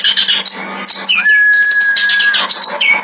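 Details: Kerak basi, or clamorous reed warbler, delivers a harsh training song: rapid raspy chatter and squawky high notes around a long flat whistle held for about a second, with a constant low hum.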